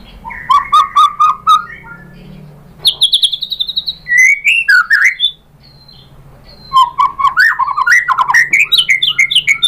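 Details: Lure song of a white-rumped shama, meant to make other shamas reply: a run of repeated clear whistles, then high drawn-out notes, a short lull, and a lively burst of varied slurred phrases over faint background hum.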